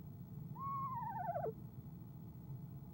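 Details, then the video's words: A female eastern screech owl trills in the evening in late January, ahead of her departure from the nest box; one falling trill lasting about a second, a smooth rise then a wavering, descending quaver, with low background hum. "Athena ESO Athena trills"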